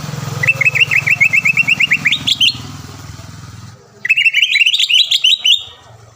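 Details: Green leafbird lure song meant to make a rival leafbird sing at once and become agitated: a fast run of short upslurred whistled notes, about three per second, rising toward the end, then a second burst, over a low engine-like hum.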